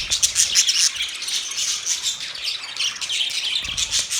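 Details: Budgies chirp loudly, with steady high twittering and thin whistled notes over an unbroken chatter.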